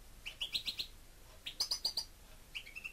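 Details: Pet European goldfinch singing: two quick runs of four or five bright, high chirped notes, then a softer, faster twitter at the end, with a quiet background.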